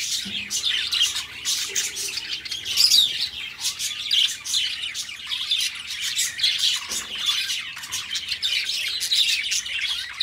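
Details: Two pet budgerigars chatter nonstop, a dense mix of high chirps, squeaks and warbling twitters.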